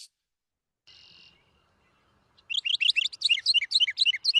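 A Northern Mockingbird sings a lively string of mimicked phrases: a short buzzy note, then rapid high chips and trills, about four a second.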